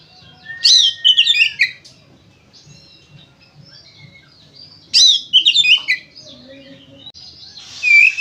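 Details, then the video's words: Oriental magpie-robin in full song, played to prompt others of its kind to sing: two loud bursts of rapid, varied twittering and whistled notes about four seconds apart, ending with a clear whistle over a hiss. "SUARA BURUNG KACER GACOR NGEPLONG NARUNG ini ampuh buat PANCINGAN KACER AGAR BUNYI"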